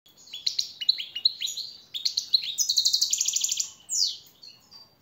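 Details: European goldfinch song used as a master training song to motivate captive birds: a fast, high twittering run of liquid chirps, then rapid buzzy trilled notes, ending in a sweeping falling note and soft twitters.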